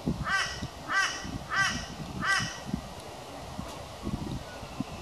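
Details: A crow fighting its own reflection in a sliding glass door gives four raspy, harsh caws in a steady series roughly every two-thirds of a second, then falls quiet amid soft tapping and low background noise.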